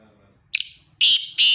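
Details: Black francolin from Khushab giving loud, harsh, grating call notes: a short rasp, then two strong buzzy bursts in quick succession after a brief silence.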